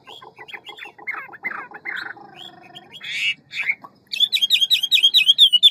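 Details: Ngũ trường Hwamei, fast and many-voiced: harsh squawking and rasping sounds for four seconds, then a rapid clear run of repeated looping whistles.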